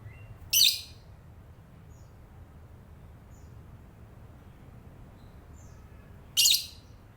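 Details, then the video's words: Lovebird chattering in the morning: two short, shrill, piercing chirps about six seconds apart, with a steady low background hum between them. "Ngerumpi pagi love bird"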